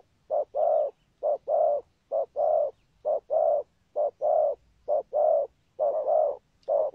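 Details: Spotted dove with a patterned coo described as a good 'rước' with 'thúc gù' cooing: low, hollow paired notes, a short coo followed by a longer one, repeated about once a second in a steady series.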